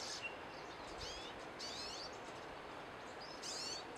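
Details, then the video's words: Singing pine siskins give scattered high, thin twittering phrases with quick up-and-down slurs, three main bursts spread irregularly over a few seconds, against constant outdoor hiss. "Pine siskins singing"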